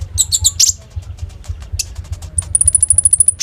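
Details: Loud common iora, song used as a training lure, on a phone recording: a few quick high chirps and a burst, a quiet pause of faint ticks, then a fast, very high even trill of about a dozen notes, over low humming.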